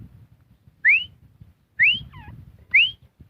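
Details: Three clear, bright rising whistles from a Grey francolin, spaced about a second apart, the middle one followed by a short lower wavering note, with quiet low hum between.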